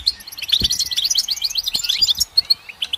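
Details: Dense goldfinch twittering, a fast tinkling series of bright chirps that slows into spaced whistled notes toward the end, with a soft knock early.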